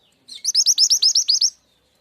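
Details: Mountain mantenan, locally truntung weru, in a recording used as a lure to draw wild birds: a quick run of about nine sharp, high, downward-slurred chirps, evenly spaced and lasting just over a second, with nothing else heard.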